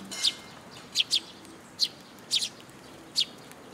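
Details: Eurasian tree sparrows gathering at a shrine feeding post (Tenmangu, 26 June 2022) utter crisp, high chirps, some doubled in quick pairs, spaced roughly every half second to second.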